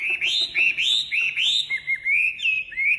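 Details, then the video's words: Wambi bird in full song: loud, high, looping whistles repeated about three times a second, followed by a smoother warbled phrase that climbs and falls. "Suara Khas Burung Wambi Gacor Enak Suaranya"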